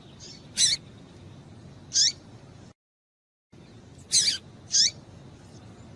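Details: Female double-collared seedeater call for stimulating males: high, thin chips and downward-sliding squeaks in pairs, split by a short silent gap.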